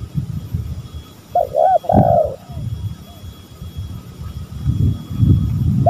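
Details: A spotted dove lure call from a male and female. It gives a single cooing phrase of a few arched notes and one drawn-out coo, set among steady low rumbling background noise.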